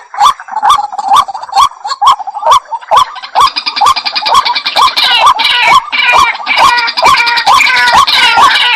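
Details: White-breasted waterhen sounding a long series of harsh, hooked notes about twice a second; after the first few seconds a thicker layer of rapid, higher chattering joins in.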